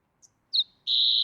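A Green-tailed Towhee gives a tiny high tick, a thin down-slurred note, then a steady, slightly buzzy high tone lasting about a third of a second. The background is quiet.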